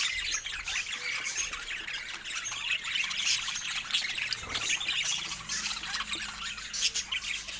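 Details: Pet budgerigars in a cheerful mood give a steady stream of scratchy high chatter and squawky chirps, continuous and uneven, with a faint low hum underneath.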